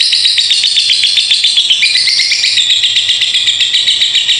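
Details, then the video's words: Lovebird in sustained 'ngekek konslet' chatter, over two minutes long: fast, buzzy, high twittering rattle, dipping in pitch mid-way before climbing again, relentlessly repeated. "LOVEBIRD NGEKEK KONSLET PANJANG | DUA MENIT UP"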